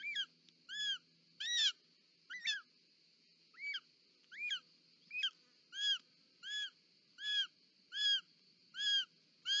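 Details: A short-toed snake eagle mother delivers a snake at the nest in Parc Natural dels Ports, Catalonia, 18 July 2024. Uneven squealing notes settle into a steady series of arched whistles, about one every 0.7 seconds, over a high whine.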